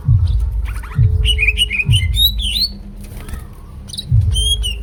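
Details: Greater green leafbird song: bright, varied whistled phrases with rapid trills and sliding notes in short bursts, partly masked by loud repeated low thumping knocks throughout.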